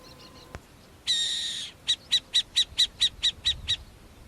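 Burrowing Owl giving a harsh, rasping screech, then nine sharp, high chipping notes in a quick, even series, about four to five per second.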